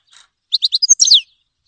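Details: Brief grey-headed goldfinch phrase: four short high chirps in quick succession, then a tangled burst of slurred, descending twittering notes.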